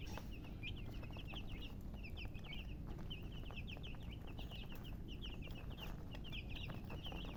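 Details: Baby chicks chirping: a dense chorus of short, high peeping notes repeated rapidly throughout, several birds overlapping, over a steady low rumble of background noise.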